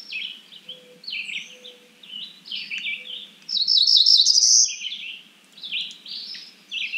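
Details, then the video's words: Cerulean warbler calling: a string of quick slurred high notes building into a bright, loud buzzy trill at the top of its range, then further short chirps; faint low hum beneath. "Cerulean warbler Calling."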